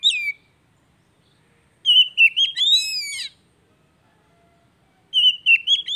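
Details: Song of an Oriental magpie-robin, offered as stimulation for a bird that has gone quiet: short whistled phrases separated by long silences, with a lively twisting, warbled middle passage of rising and falling notes.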